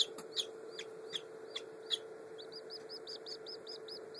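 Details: Newly hatched Black French Copper Marans chicks, under a day old, May 2011: a few sharp clicks and scattered peeps, then a rapid, even run of high peeps from about midway, with a low hum throughout.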